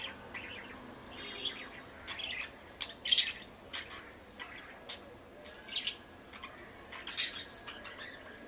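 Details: Budgerigar calling with scattered short squawks and chirps at irregular intervals, some louder harsh bursts standing out over a quiet background.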